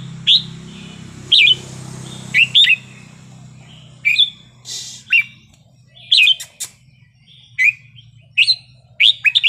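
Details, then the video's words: Red-whiskered bulbul singing in wild style to stir up other birds: a long series of crisp whistled notes, singly and in pairs, every second or so, with a brief rustle and a low hum early on. "นกกรงหัวจุกเพลงป่า สำนวนเพราะ ๆ เปิดยั้วนกฟังนกคึก"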